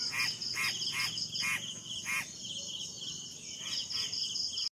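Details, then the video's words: Crow calling near a mango tree: a run of five harsh, ringing caws at irregular intervals, with continuous high-pitched insect trilling behind and general outdoor noise. "Crow is crowing"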